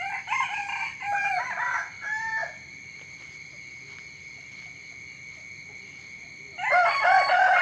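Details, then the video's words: Chicken crowing in the morning: choppy harmonic crowing for about two and a half seconds, a quiet gap with a steady high whine, then another loud crow starting near the end. "เสียงไก่ขันตอนเช้า เสียงไก่ขันฟังต่อเนื่อง"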